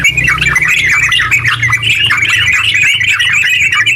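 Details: Yellow-vented bulbul delivering a long, fast, uninterrupted song as a lure for other bulbuls; busy warbling chatter rolls on steadily, with a faint low hum beneath.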